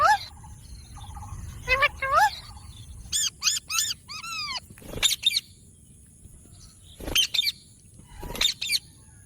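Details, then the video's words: Green ringneck parrot kept as a pet, uttering scattered short chirps and curved, arching speech-like notes in small groups, with sudden sharp clicks between long quiet pauses. "Green Intellijent Ringneck Parrot Video 🦜| Amazing Talking Parrot | Usa talk Parrot"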